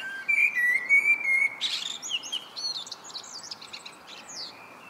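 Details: Common blackbird in evening song, starting with level fluted whistles, then breaking into a fast jumble of high squeaky twitters and slurred notes that fade away.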